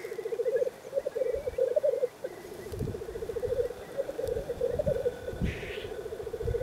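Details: Several male black grouse at a lek in the Cairngorms, Scotland, give continuous low, bubbling, dove-like rookooing that overlaps, broken by a brief hissing sneeze, over low wind rumble.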